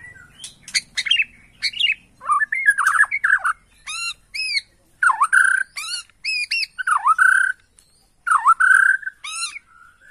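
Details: Bornean white-rumped shama in agitated lure song: squeaky chips open into rich downswept whistles and clear ringing arched notes, phrases coming in quick bursts with short silences; a faint low hum at the start.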